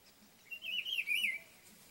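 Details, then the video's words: Rufous-browed Peppershrike singing from an ipê tree to mark its territory, one rich, warbled whistled phrase rolling up and down for nearly a second over a quiet background. "o pitiguari e seu lindo canto"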